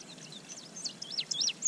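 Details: Indigo bunting male in spring, 25 May 2023, singing near a backyard bird pond before bathing: a short burst of high, slurred whistles that dip and rise, some paired, against a faint background hiss.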